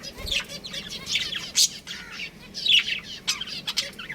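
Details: Chirping from a pet budgerigar breeding pair, buzzy warbled notes in overlapping bursts, bright peaks around the middle and later, over a light background murmur.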